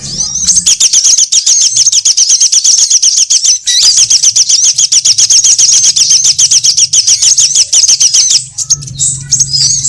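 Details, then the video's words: Sunbird call played as a trapping lure: a long, very high, rapid chattering trill of about four notes per second, briefly broken near the middle, then thin whistles at the end over a faint low hum. "Suara pikat semua jenis burung kolibri"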